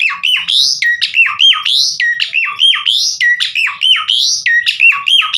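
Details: Javan pied starling song meant to coax other starlings into singing: a steady loop of loud slurred whistles, each dipping low then sweeping up, repeated almost every half second.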